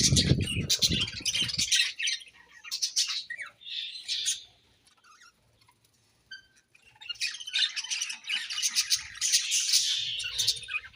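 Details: Budgies eating and chirping: bursts of high warbling chatter, a pause of near silence midway, then renewed rapid twittering. A low thump sounds at the start.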